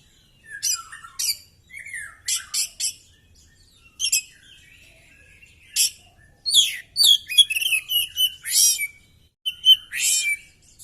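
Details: Oriental magpie-robin in a fighting display, tail spread, singing energetically: scattered buzzy notes and short whistles grow into a dense stretch of rasping bursts, slurred whistles and trills, ending in a loud rising phrase.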